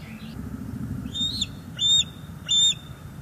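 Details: Bald eagle at a nest in northeast Florida on a May 2021 morning, waiting for food: three short, piercing, high-pitched chirps, evenly spaced about two-thirds of a second apart, over a faint low rumble.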